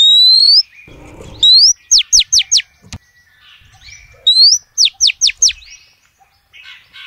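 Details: Female oriental magpie-robin calling males: a bright upward-sliding whistle followed by four quick, steeply falling slurred notes, the phrase repeated twice with a pause between, plus faint soft chirps.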